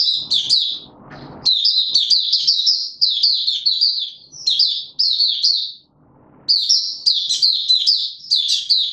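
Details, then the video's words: Male white-eye, a kept songbird pushed into form, opening song on 31 December 2021; long rapid series of high, jerky warbled notes in dense clusters, one clear pause, then energetic chattering resumes; soft rustle early on. "Mata Puteh - Raja V2 Pushing him on form buka sing"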